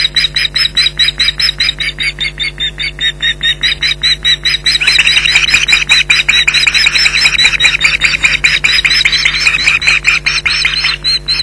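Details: Female osprey at Loch Garten, 15 July 2011, vociferously defending nest and young from a returning intruder: a long, loud, continuous stream of rapid piercing yelps that grows harsher and denser midway.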